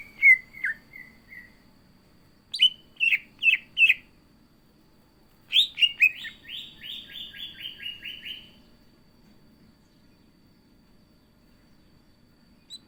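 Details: Chatty cucak ijo (greater green leafbird) song: a few dropping whistles, then separate sharp chirped notes, then a rapid rattling run of slurred whistles that slides slowly downward before silence.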